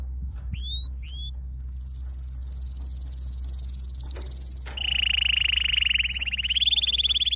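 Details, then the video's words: Canary singing a training song: a few rising whistled notes, then a long, fast, even trill held at a high pitch, dropping to a lower rolling trill that rises slightly at the end. "Your canary will NEVER STOP SINGING With this training song"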